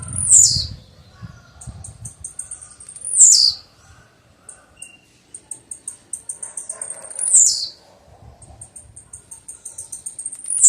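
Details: Blue-black grassquit repeating its call four times over about eleven seconds. Each time, runs of fine high ticks lead into a sharp buzzy descending note. Low fluttering rumbles accompany the first calls.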